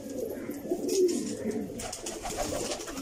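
Pigeons give low, soft cooing murmurs around 300–500 pitch range, rolling continuously through the clip, with a faint hiss of other higher noises indoors.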